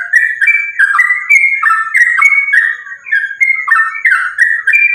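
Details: Sooty-headed bulbul, fighting-style continuous song meant to provoke other bulbuls into calling; dense, rapid chain of liquid warbled notes that jump up and down in pitch without pause, each phrase lasting a fraction of a second.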